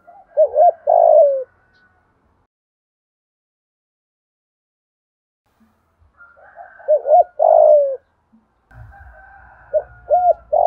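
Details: Decoy spotted dove calling to attract wild birds: a phrase of two short coos and a longer coo, a long silence, another phrase, then quick coos over a low rumbling noise near the end.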